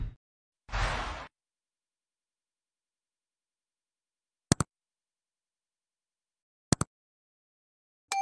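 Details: Near silence broken by a short burst of rustling noise and three sharp double clicks, with no animal voice.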